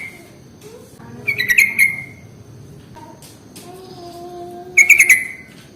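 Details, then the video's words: Lure sound for sooty-headed bulbuls: two short bursts of fast, rattling, bright notes, the second louder, with soft drawn-out tones in the quiet gap between them. "SUARA pancingan paling AMPUH untuk Trucuk jenis apapun"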